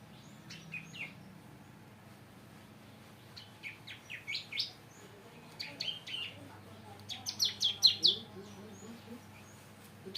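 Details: Bar-winged prinia in a breeding program, still not in full singing form, giving scattered bright chirps in short bursts, growing denser and louder toward the end, over a low steady hum.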